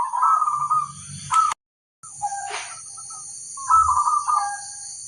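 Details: Zebra dove from local stock cooing in rippling phrases, interrupted by a sharp noise burst and a brief silent cut, then more pulsed cooing with a steady high background tone.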